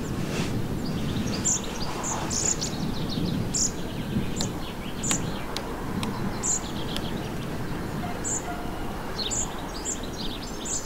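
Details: Song thrush fledgling in a Morbihan garden, Brittany, 27 June 2023, after leaving the nest, gives thin, high, short food-begging notes at uneven intervals over a steady low rumble of background noise.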